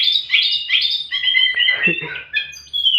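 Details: Oriental magpie-robin in the opening, varied "isian" style of song: a continuous flow of clear whistles, slurred phrases and short trills that shift pitch constantly.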